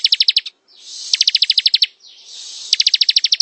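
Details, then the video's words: Ciblek, the bar-winged prinia, in ngebren song: fast runs of sharp, evenly spaced high pulses alternating with softer hissing, buzzy stretches, repeated across a few seconds. "Suara ciblek ngebren"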